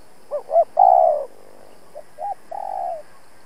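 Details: Decoy spotted dove used for trapping, urgently cooing to challenge and lure wild rival doves; two short hollow coos followed by a longer, drawn-out low coo, the phrase given twice against a quiet background.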